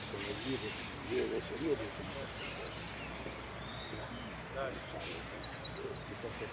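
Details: A saffron finch (Sicalis flaveola) sings a song with "prio", "golpe" and "pitadas" elements: high, thin notes, with a fast run of repeated chips near the middle, over soft background noise.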